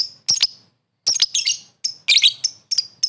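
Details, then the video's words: Lovebird calling a rival with bursts of squeaky, shrill twittering and clipped high chirps, several in quick succession with brief gaps. "suara burung lovebird memanggil lawan | the sound of lovebirds calling the opponent"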